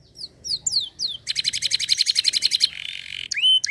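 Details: Canary producing scattered falling whistles, then a dense rapid trill, a harsh buzzy stretch and a final pure rising whistle, over a low background hum.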